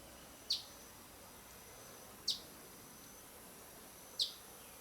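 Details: Black-goggled Tanager, a male, giving three sharp, high chip notes about every two seconds over soft forest hiss in jungle at Araucaria Provincial Park, San Pedro, Misiones, Argentina.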